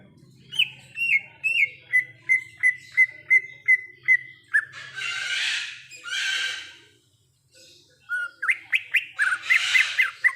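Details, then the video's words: Greater green leafbird singing in the wild: a run of about ten clear whistled notes near the same pitch, each with a quick downward flick, interrupted by two harsh rasping bursts, then faster rising whistles mixed with another raspy burst. "Suara Asli Cucak Ijo | Suara Alam Cucak Ijo"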